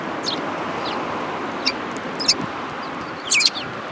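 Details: Sparrows coming to be fed on the front approach of a Tenmangu shrine, 4 February 2022; a few short, high, sharp chirps scattered over four seconds, the loudest cluster near the end, over a steady low outdoor hum.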